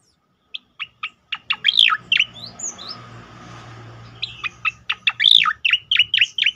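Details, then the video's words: Cicakoreng 'tembakan' song for training and provoking other birds: spaced sharp chips speeding into loud swooping whistles, a soft noisy interval, then a fast series of bright, downward-sweeping notes. "khass tembakan cicakoreng untuk masteran dan pancingan bunyi burung lain"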